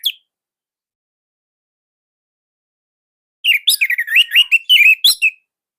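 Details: A hobby-kept Orange-headed thrush from Indonesia gives a single two-second run of quick, warbling whistles and chirps after a long silence. The song is loud and tight, meant to spur other birds to sing.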